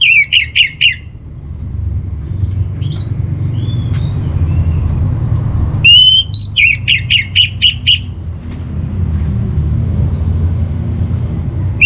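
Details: Orange-headed thrush master song, played to calm a home-kept bird's mood and breeding condition. It gives loud whistled notes in quick bursts of four or five at the start and again after six seconds, over a low steady hum.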